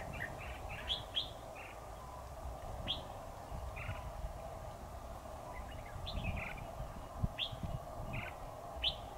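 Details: Bulbul trapping outdoors on 7 October 2019, red-whiskered bulbul: scattered bursts of clear, chirpy two- and three-note phrases, some sharply upslurred, spaced irregularly across the recording over a constant low rumble.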